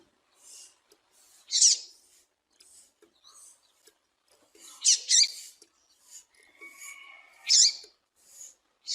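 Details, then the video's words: Female double-collared seedeater calling, played to stir up and excite males: sharp high chirps spaced irregularly, mostly single with some doubled, one thin level whistle near the end, otherwise quiet. "Piado de fêmea de Papa capim para Esquentar e foguear Papa capim"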